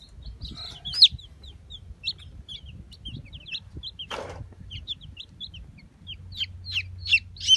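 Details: Young Brahma chicks from a fresh hatch give scattered high-pitched peeps, short downward-slurred notes spaced irregularly, with a brief rustling thud midway and a soft low hum beneath.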